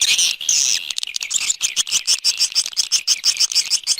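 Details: Swiftlet external sound recording: dense, high, buzzy chirps repeated about twice a second, with a longer rasping burst near the start and sharp, bright ticks throughout.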